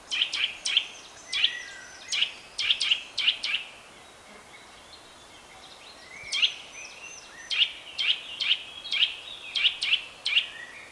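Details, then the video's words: A Eurasian nuthatch (Sitta europaea), a year-round resident, gives loud, sharp, high whistled notes in two bursts, roughly two per second, with a quiet pause between; faint background hiss. "Vogelstimmen: Der Kleiber - Nuthatch - Sitta europaea"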